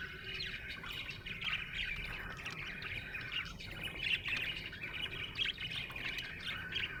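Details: Soft, steady warbling from a happy budgerigar: low-volume scratchy chatter runs on throughout, over a noticeable background rumble.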